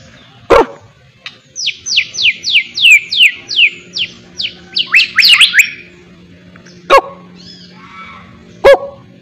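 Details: Song of a white-rumped shama under mental training, filled with imitated miwah phrases: a fast run of about a dozen sharply falling whistled notes, faint warbles, and a few loud sharp clicks before and after.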